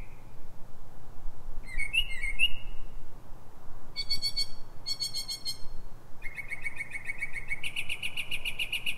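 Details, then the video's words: Pre-dawn Northern mockingbird song, 03:44, Silver Spring, Maryland, USA: a soft whistle, then twisting sharp notes, then rapid buzzy rattles repeated in bursts, ending in a long, dense trill that steps up in pitch. "Northern mockingbird (Mimus polyglottos) — night singing"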